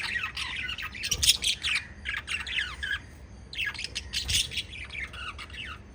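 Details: Five lovebirds give two loud bouts of sharp, downward-sweeping squeaky chirps separated by a quieter pause, with rapid clustered notes in each burst.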